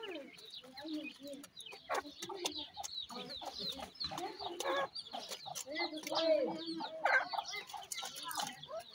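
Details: Young black francolin chicks at feeding time keep up a busy stream of thin chirps and short down-slurred peeps, fairly continuous, with some lower clucking notes and occasional clicks of movement.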